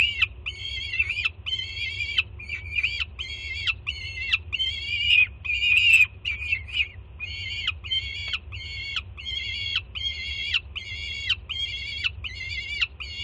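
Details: Juvenile female peregrine falcon on a city nest cam in Jersey City, summer 2017, screaming as its mother lands with food. A long series of short, raspy screams comes at about 77 per minute, with a brief louder squeal midway. A steady low drone runs underneath.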